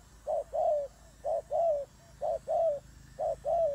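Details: Fighting turtle dove cooing in paired notes: a clipped first coo, then a drawn-out mellow one that sags at the end, roughly once per second.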